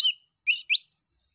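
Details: Male orange-headed thrush in full song, used as a lure to prompt other birds to answer: a short high whistled note, then two clear whistled phrases, the second sliding upward, in an otherwise quiet background.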